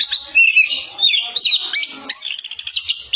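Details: Oriental magpie-robin singing loudly in energetic form: a fast run of high whistled phrases, sweeping and slurred notes with short chattering bursts, continuous and varied.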